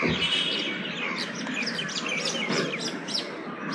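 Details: Bank myna (Sharak in Punjabi) of South Asia calling: busy jumble of sharp squeaks, whistles and grating chatter, several notes per second, with background murmur.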